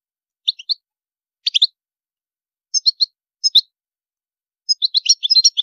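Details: European goldfinch song described as high maqams. Brief clusters of sharp, tinkling chirps arrive about every second and swell into a denser twittering run at the end against a silent background.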